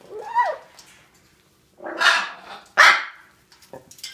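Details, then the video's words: Hyacinth macaw kept as a pet, barking like a dog, which it learned and now does for fun; a brief whistled sweep, a pause, then two rough, raspy barks close together and a faint click. "Hyacinth Macaw parrot learned how to bark like a dog"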